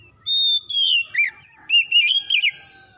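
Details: Oriental magpie-robin song played to coax a bird that rarely sings. A long clear whistle slides down, followed by choppy bursts of wavering, twisting whistled notes in a lively sequence.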